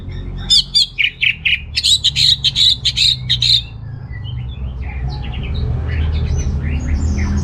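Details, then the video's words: Orange-headed thrush in full song, meant to stir males lacking breeding drive: a loud, fast string of sharp high notes for three seconds, then quieter scattered chirps from other birds over a steady low hum. "ANIS MERAH Gacor Untuk Pancingan AM Jantan yang Kurang Birahi"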